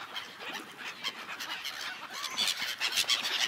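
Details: Gulls gathered on an ice-covered lake, a dense overlapping chorus of sharp, harsh calls repeating rapidly and irregularly, growing louder and busier toward the end, with no music or talking.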